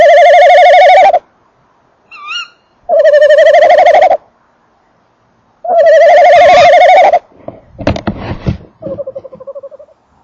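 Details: Male tawny owl calling near and inside a nest box, female also audible: long, loud, tremulous pulsing calls of one to two seconds repeated with pauses, faint high wavering notes between them, then sharp clicks and a shorter trill.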